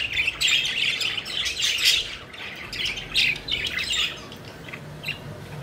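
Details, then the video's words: Pet budgerigars playing and flying, giving quick bursts of scratchy chirping chatter, loudest in the first half, then thinning to softer, sparser notes. "Budgies Having Fun: Playful Birds Flying and Chirping Joyfully"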